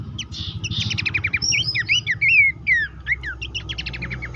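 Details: Horsfield's babbler song meant to spur caged birds into steady singing: a fast chattering series of sharp notes, then looping whistled phrases and more rapid clipped chirps, over a low background hum.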